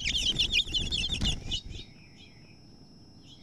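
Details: House finch at a nest that two females fought over, the new female evicting the near-fledged chicks: an excited burst of rapid, squeaky chirping notes amid rustling, fading into softer scattered chirps.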